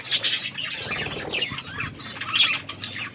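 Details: A group of budgerigars in an outdoor aviary chattering, rapid high chirps and squawks layered together with soft wingbeats.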